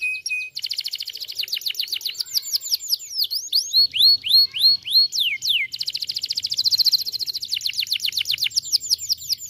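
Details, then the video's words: Vigorous canary song used to stir up a quiet canary: a brief whistled note, then fast trills, a run of loud slurred downward sweeps, a dense buzzy roll and quick repeated notes, with a faint low hum beneath. "Kenari gacor ngotot ampuh pancing emosi kenari diam gacor lagi"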